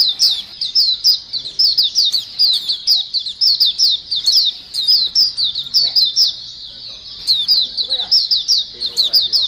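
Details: Energetic white-eye flock chorus for luring: unbroken stream of high, thin, downslurred chirps and rapid twitters from several birds at once, with brief clicks mixed in.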